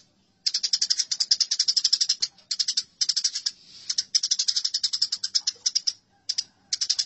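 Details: Eurasian tree sparrow fighting: fast, harsh chattering bursts of sharp chirps, each run one to two seconds long with brief pauses, in a quiet recording.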